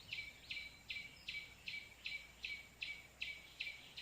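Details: Trapping lure of white-breasted waterhen calls, which brought two birds in within seconds. Harsh, evenly timed notes are delivered about every 0.4 seconds, each with a brief whistled tail, over soft background hiss.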